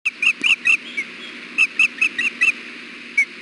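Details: Wild female osprey at the Hellgate nest, 6 June 2016, fussing for food beside the male during 93-degree heat. Spaced, clear whistled yelps come in a loose burst, then one last chirp after a pause.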